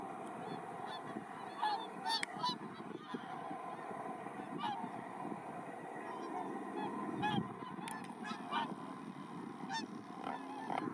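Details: Mixed flock of about 100 Whooper and Tundra swans feeding on fallen rice grains in a rice field at Iwanuma, Miyagi, Japan, on 4 December 2023; frequent bugling honks from many birds over a steady low rumble of a helicopter overhead.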